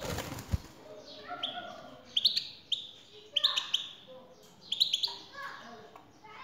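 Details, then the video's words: Male European goldfinch answering a played female call with sharp twittering chirps in three bursts about a second apart, after a brief low knock at the start and soft harmonic tones throughout. "حسونك سيغرد مع هده البثبثة Goldfinch singing"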